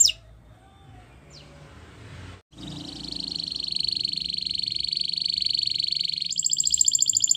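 A Spanish Timbrado canary sings a long, unbroken metallic rolling trill that switches near the end to a faster, brighter pulsed trill; the opening seconds are nearly silent.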